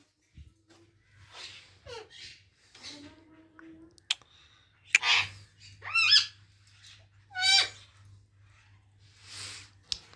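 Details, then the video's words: Talking pet Indian ringneck parrot indoors producing a busy run of varied sounds: sliding, voice-like notes, wavering trills and harsh squawks, with a low hum in the background. "Parrot sound complation"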